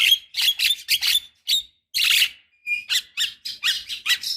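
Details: Javan myna calling as a lure for quiet birds, a female calling a male: dense harsh chattering bursts, a short thin whistled note, then more rapid scratchy squawks.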